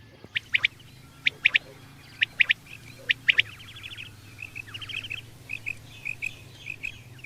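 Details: Common quail giving sharp, high clipped notes in quick groups of two or three, repeated about every second, then fading into a softer run of short chirping notes from other callers; low steady hum underneath.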